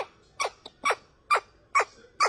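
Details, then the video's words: Pet ring-necked parakeets kept indoors, with short, harsh, squeaky notes repeated about every half second, six bursts in a row, in a quiet room. "Ringneck Parrots Funny videos, Talking parrots"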